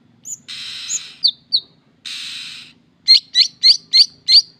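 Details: Long-tailed shrike singing: short high whistles and two broad buzzy rasping bursts, then a fast run of five sharp chattering notes about every quarter second.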